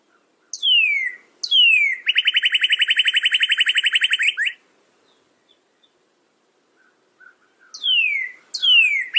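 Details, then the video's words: Northern cardinal song: two loud downslurred whistles, then a fast, even series of short repeated notes for about two seconds, and two more downslurred whistles after a pause. The background is quiet. "SOUND CARDINAL NORTHERN BIRD"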